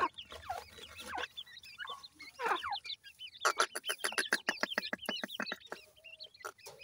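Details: Grey francolin chicks give high, curved peeping whistles, heard over a fast train of loud, dry clicking or tapping sounds lasting several seconds.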